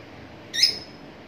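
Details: Lovebird giving a single shrill, squawking chirp, a short burst lasting about a quarter second with a harsh high edge, over a quiet indoor hum.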